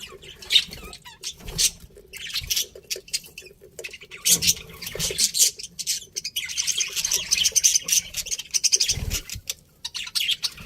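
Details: Pet budgerigars, a breeding pair, chirping: scattered scratchy high chirps and chatter in short bursts, busier and denser in the second half, with faint low background rumble.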